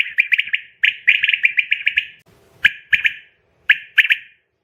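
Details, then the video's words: Quail lure sound for night hunting: a long grating run of rapid clicking notes, then two shorter separate bursts after a pause, with a faint low thump in the middle. "Batair ki awaz | بٹیر کی أواز رات کیلۓ | Quail sound night"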